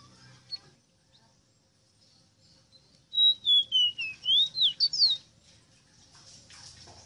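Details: Song of the ave rosita, or Ruddy-breasted seedeater (Sporophila minuta): roughly eight sweet whistled notes, each pitched a little lower at first, then sharply rising and falling slurs in a rapid closing flourish, over near silence.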